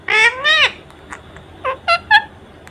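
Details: Indian ring-necked parakeet kept as a pet, performing before a mirror with wings spread while chattering: two drawn-out nasal, harmonic syllables, a pause, then three short clipped notes in quick succession.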